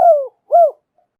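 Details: Female spotted dove giving a call meant to rouse the male. Two clear, mellow coos, the first long and gently falling, the second shorter and arched, then quiet.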